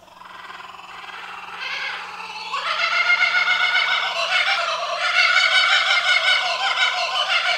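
Kookaburra laughter starts as a low chuckle and swells into loud, rapid cackling hoots that roll on without pause for several seconds.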